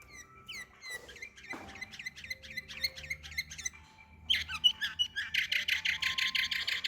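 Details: Canary singing in Samarkand: a string of quick chirped notes, each sliding down, then a louder, denser stretch of rapid buzzy repeated syllables near the end, with a faint low hum behind.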